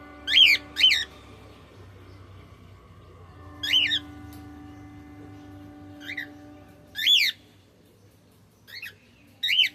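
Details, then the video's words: Male cockatiel repeatedly giving loud, piercing, rising-then-falling chirps, some in quick pairs. About seven calls come over ten seconds over a steady low hum. "Cute Cockatiel sound 💝🎀male Sound"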